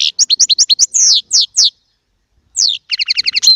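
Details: A small Baster European goldfinch sings chardonneret song, a quick series of sliding chirps, drawn-out falling slurred notes, a pause, then a crisp run of repeated doubled notes.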